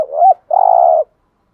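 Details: A spotted dove coos in the thúc gù manner used to lure wild doves: a swelling, bending first note, a short pause, then a sustained buzzy coo with rapid fine pulses that stops abruptly. The background is quiet.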